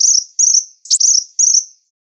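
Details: Sunbird song used as training audio for songbirds: four short, high, thin chirping phrases, each a quick buzzy trill that trails off slightly, spaced about half a second apart, in an otherwise quiet background.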